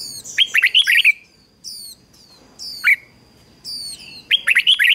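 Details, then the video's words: Red-whiskered bulbul singing as a decoy to lure and stimulate wild birds: a rapid warbled phrase at the start, a single clear note near the middle, and another quick burst at the end, with high chirps around. "Chào Mào Mồi Hót Gọi Chim Rừng Kích Chim Hót Hay"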